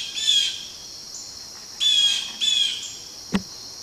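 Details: Blue jays mobbing a barred owl utter a few harsh, nasal jeers, one single and two in quick succession, against a steady high insect buzz, ending with a brief sharp knock.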